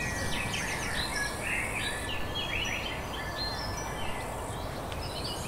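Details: Several birds singing in the Canarian Garden Viera y Clavijo, Gran Canaria, in March; quick twittering and warbled phrases overlap steadily above a strong low-pitched background rumble.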